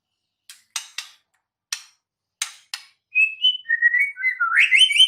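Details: White-rumped shama recorded in the wild: a series of dry clicks spaced irregularly, followed by a flowing run of varied whistled notes that dip and rise, ending in a bright, rising warble.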